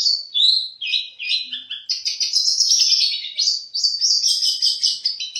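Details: Long-tailed shrike competition bird singing imitated material: clear whistled slurs at first, then a dense, buzzy, high-pitched chatter that runs on without a break.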